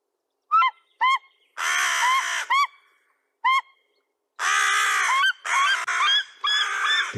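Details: A White-tailed Eagle in Central Europe, being harassed by a crow, gives short, sharp yelping notes, some in quick pairs, alternating with the crow's long harsh, rasping bursts.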